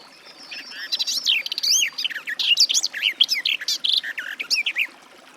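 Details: Garden warbler delivering a long, even-paced warble: swooping whistles, rapid chirps and rolling slurs strung together for about four seconds, starting after a faint thin tone.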